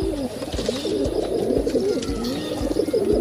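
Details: A large flock of pigeons at the Gateway of India, India. Many low, rolling coos overlap continuously, with soft wing flutters and thumps scattered through a busy outdoor background.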